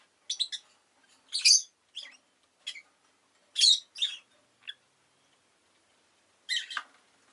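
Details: A rosy-faced lovebird delivers a busy, uneven series of scratchy high chirps, some loud and some soft, with a brief pause before a final burst.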